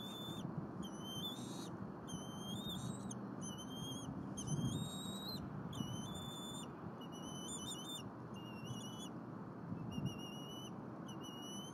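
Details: Bald eagle eaglet in a nest at Berry College, Rome, Georgia, on 4.10.22, as the father delivers a squirrel and the mother feeds it. Thin, high whistled whines, each drawn out about a second, repeat steadily over low rumbling background noise.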